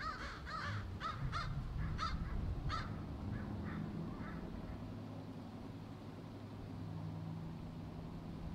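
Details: Many crows in one tree give a dense cluster of rough caws during the first three seconds, then fade into steady low-pitched background noise.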